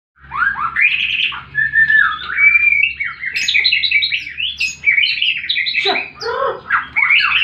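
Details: White-rumped shama in fighting mode, used to coax silent birds into singing: a rapid, varied run of sweet whistles and slurred notes, rising and falling without pause over a faint low hum.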